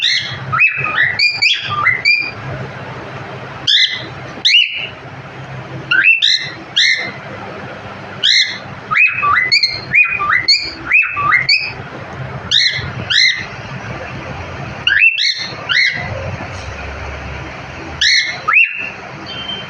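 A cockatiel gives bright, repeated chirps and short whistled notes, some sliding downward, in bursts.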